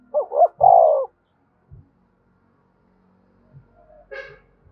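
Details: Spotted dove call used to stimulate and train decoy birds for trapping: one quick low cooing phrase of two short notes and a longer falling coo, then near silence with faint clicks and a soft higher chirp.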